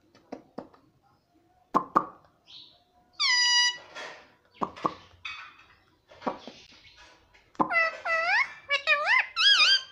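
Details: Talking parrot mixed with clicks and some low human-like sounds. Loud nasal syllables include a flat drawn-out one and a rapid swooping series toward the end.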